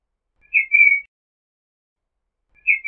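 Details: Eurasian golden oriole song: a clear fluted whistle, first rising then held level, about half a second long, followed after a pause by the start of another whistled phrase; nothing else heard.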